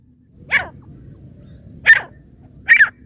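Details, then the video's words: Female francolin (teetar) calling: three loud, harsh, rasping notes spaced about a second apart, each centred high and broadband, over a low background rumble. "francolin sounds | female teetar awaaj"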